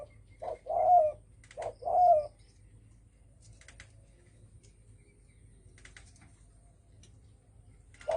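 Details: Spotted dove giving a đồng thổ sấm style call used to provoke other birds: two low coo phrases, each a short note then a longer hoarse note, followed by quiet with faint clicking and a final coo at the end.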